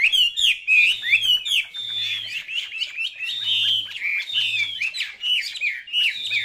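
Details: Chinese hwamei kept as a cage bird pours out a loud, melodious song. It opens with crisp quick notes, then moves into long sliding whistles and looping phrases, over a soft intermittent low hum.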